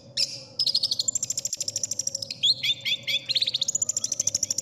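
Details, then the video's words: {'text': 'Long-tailed shrike (cendet) song in a masteran recording described as favoured by judges: rapid clicking trill, stepped buzzy notes and high down-slurred whistles, dense and varied, over a faint steady background hum.'} "suara burung cendet paling di cari juri"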